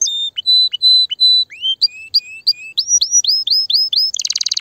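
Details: Canary song used to excite hens for breeding: clear whistled notes in groups, upswept chirps repeated about every third of a second, ending in a very rapid buzzy trill.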